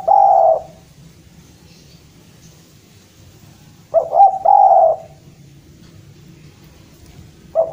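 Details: Javan spotted dove calling to a rival: a long rolling coo, a pause of several seconds, then a phrase of quick notes running into another drawn-out coo, with a low hum in the background.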